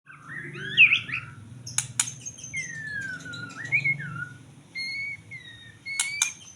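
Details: White-rumped shama singing: a slurred warbled phrase, then sharp clicks and long descending whistles, ending with steady high whistled notes, over low background hum.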